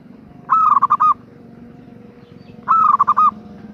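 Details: Hen perkutut, a zebra dove, calling the male with two bubbling coo phrases, each a sustained note followed by rapid stuttered pulses, with a faint low drone behind.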